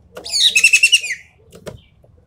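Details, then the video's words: Ekek keling, or Javan pied starling, delivering one dense buzzy rattle of about six rapid pulsing notes over shrill whistles, lasting under a second, in its full tembakan song, followed by a few soft clicks. "BURUNG EKEK KELING SUARA FULL TEMBAKAN"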